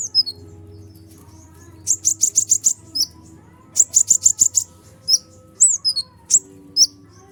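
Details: Sunbird, known as kolibri ninja, in full noisy song meant to rile other birds; rapid trills of high sharp notes in runs of about six, then scattered slurred whistles, over a faint low hum.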